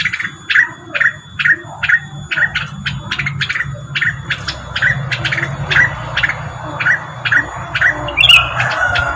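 Rengganis giving sharp, bright chirps about twice a second in a steady series, over a low constant hum.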